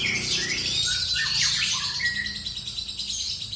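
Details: Lovebird kept as a cage bird in continuous ngekek chatter, shrill buzzy trills with a few slurred whistles dropping in pitch, rapid and unbroken.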